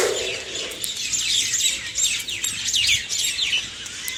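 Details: Birds chirping in the early morning: bright, high tweets and short downward-sweeping chirps overlapping in a busy chorus, a brief low murmur at the start.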